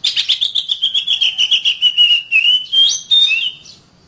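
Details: Oriental magpie-robin master song for training caged birds: a fast run of sharp repeated chirps sliding gradually lower, ending in a few higher whistled flourishes.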